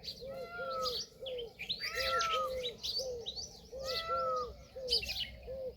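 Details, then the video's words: Peahen of the Indian peafowl repeating short arched notes, often in twos, with a louder falling whistle-like note recurring between them and lively high chirping from other birds. "Peahen bird the Indian peacock/most clear sound"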